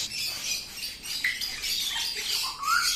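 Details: Grey parrot fighting with another grey and an Alexandrine parrot: harsh, raspy squawks over a hissing background, with a few short rising whistled notes breaking through near the end.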